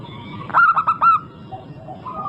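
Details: Local zebra dove singing as a lure to prompt other birds: a tight run of four loud, resonant coo notes, followed by fainter sustained cooing from other birds over a constant low background hum.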